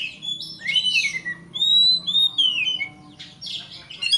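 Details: White-rumped shama song meant to provoke a rival, with flowing whistled phrases, rising and falling slurs and a few buzzy notes at the end.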